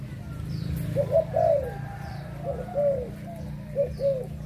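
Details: Adult spotted doves of Malaysian and Thai stock, recorded 22 January 2022: soft hooted coos in short groups of two or three, over steady low background hum.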